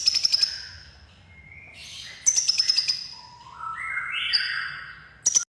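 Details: Crimson sunbird, locally kolibri ninja, red-breasted, giving short high pulsed trills, while a separate series of rising whistled tones climbs in pitch between bursts.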